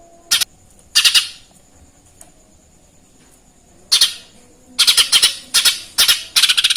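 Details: Sparrow-like chattering from a lesser green leafbird mimicking Eurasian tree sparrow calls: harsh high chirps in irregular clusters, with a pause mid-clip before quicker runs of chirps toward the end, over a steady faint hum.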